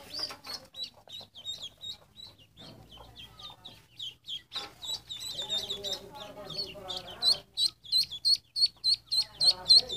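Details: Several ducklings chirping in a steady stream of high, sharply downslurred peeps, about three per second, growing louder and more regular toward the end, with a lower warbling hum in the middle.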